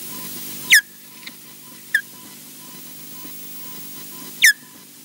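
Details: Wildlife camera recording of ospreys at Loch Garten, Scotland, with a male landing on another bird's back; loud piercing down-slurred whistles, two strong and one softer in between, against constant low hum.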